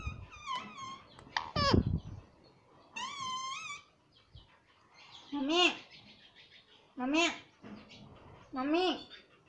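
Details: Rose-ringed parakeet kept as a talking pet, saying "mummy papa": scattered harmonic notes, then three similar rising-falling calls spaced about 1.5 seconds apart, with faint room noise between them.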